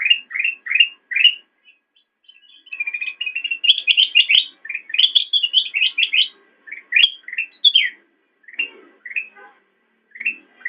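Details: Black-crested bulbul singing on a master recording for training cage songbirds: bright rising slurred whistles repeated in quick bursts, then a denser run of higher chattering notes, ending with scattered rising phrases against a clean, quiet background.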